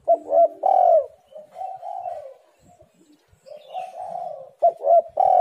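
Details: Spotted dove calls used as a lure to prompt lazy birds into calling: loud throaty coo notes opening and closing, with gentler, sustained cooing phrases in between.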